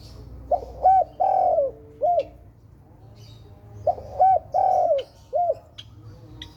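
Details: Spotted dove, called tekukur, cooing two matching phrases a few seconds apart. Each has two short notes, a long descending coo and a final short note, with light chirps from other birds.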